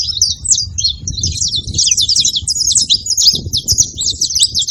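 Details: Wild saffron finch song, free in nature: a rapid, unbroken stream of sharp, high chips and short buzzy notes running for nearly five seconds, with low rumbling background noise underneath.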